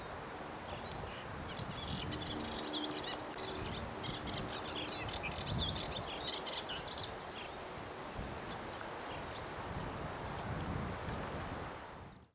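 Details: A melodious warbler in the Camargue, France, in May 2021 sings a fast, babbling stream of high chattering notes over a low background rumble.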